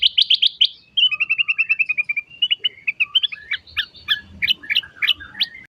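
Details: Singing black-capped bulbul (ketilang emas) in ngacor tembakan style: a fast opening burst of bright notes, then a steady string of about a dozen clipped chips, then a jumbled run of sharp whistles.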